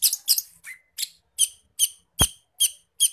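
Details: Long-tailed shrike in full song packed with forest bird mimicry, used to get other shrikes singing: short squeaky high notes repeated about every 0.4 seconds, with one sharp click midway.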